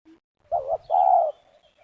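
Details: Spotted dove, kept for luring wild birds to snares in rural West Lampung, gives one phrase: a wavering double hoot running straight into a longer, level coo.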